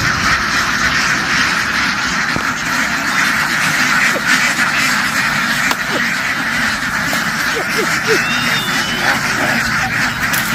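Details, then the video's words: A flock of farm ducks running happily into the water and quickly jumping back ashore in a field, making a loud, dense, continuous chorus of overlapping quacks and raspy calls with no pauses, splashing and bustle throughout. "The ducks ran happily into the water and quickly jumped ashore, making a loud noise in the field."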